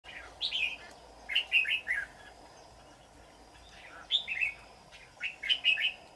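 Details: Red-whiskered bulbul of the 'má lỡ' type with a bell-like voice, used as a decoy bird for trapping, sings short bright warbled phrases in two bursts about four seconds apart, with steady background hum.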